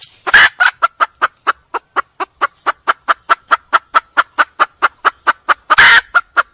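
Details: A red junglefowl hen in the wild calls for a male with a fast, steady run of about thirty clipped clucks. Harsh, broad squawks break in near the start and again near the end.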